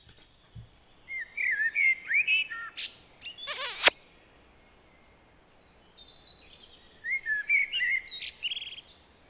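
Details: A Common Blackbird sings deep, mellow, mournful whistled phrases that rise and fall, ending in squeakier flourishes.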